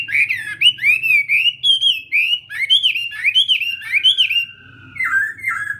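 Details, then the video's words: Chinese hwamei running through morning fighting-song practice: a lively string of looping, whistled slurs, a long level whistle near the end, then a few more rising notes. "Hoạ Mi Hót Đấu /hoạ mi hót sáng luyện giọng"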